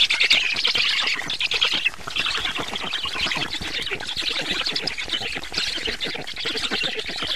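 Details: Feeding at a black stork nest on 24 June 2017, 19:52: continuous scratchy, chattering squawks in quick succession, slightly softer toward the middle, then steady to the end.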